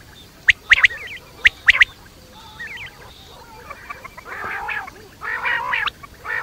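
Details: Quail night call: a few sharp clicking bursts with short rising chirps, then harsh raspy buzzing notes toward the end.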